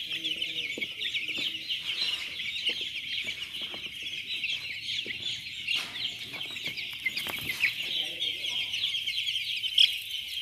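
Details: Dense chorus of day-old chicks on a poultry farm at Chimmad, Bagalkot district, a continuous overlapping mass of high, thin peeps with a few sharper chirps standing out near the end.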